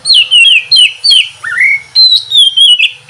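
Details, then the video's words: Oriental magpie-robin singing in the morning, used to encourage lazy birds to sing: repeated descending whistled phrases, a rising slur midway, then a long wavering high note sequence, faint hum beneath. "terapi pagi cocok buat mancing kacer malas bunyi supaya cepat gacor"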